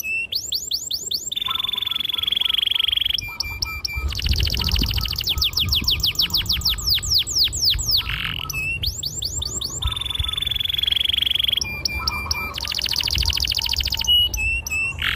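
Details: Long rolling canary song for teaching young canaries to sing: rapid curved whistles, a sustained smooth roll with soft lower notes beneath, dense buzzy trills, the sequence repeating twice.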